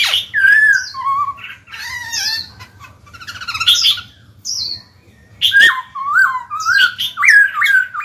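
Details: Black-throated laughingthrush song to stimulate other birds: mellow whistled phrases and scratchy passages alternate, with a snappy click-like note midway, then a bouncy run of repeated rising-and-falling whistles.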